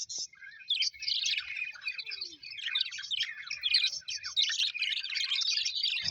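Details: Colourful Australian budgies, pet parrots said to be happy, chattering in a group: starts quietly with a few squeaks, then swells into continuous scratchy warbling and chirps, ending in a brief low knock.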